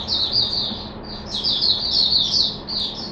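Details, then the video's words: Oriental white-eye in a cage singing loud, dense high twitters, rippling phrases in quick succession with brief pauses between bursts. "Mata Puteh Hercules V1 buka sing"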